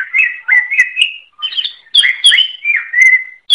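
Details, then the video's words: Greater green leafbird singing vigorously (gacor) in a recording made as a tutor track for songbirds: a clear, rich run of whistled and slurred phrases at a high pitch, some notes swooping up and down, in short bursts separated by brief pauses, with no other sounds. "Suara Burung Cucak Ijo | Gacor"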